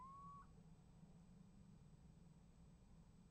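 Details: Little owl calling from a nest box camera on 28 January 2015: a single clear, slightly rising whistled 'kiew' at the start, then quiet with a steady low hum.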